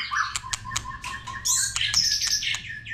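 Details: White-rumped shama in varied song: quick sharp ticks and bursts of high chattering notes, a repeated lower tone beneath, and a steady low hum.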